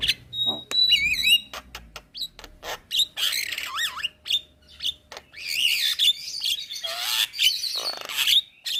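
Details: Energetic black-winged myna song, white-eyed variety, serving as a training recording for cage birds: swooping wavy whistles, harsh scratchy bursts and sharp clicks mixed in a dense, varied stream.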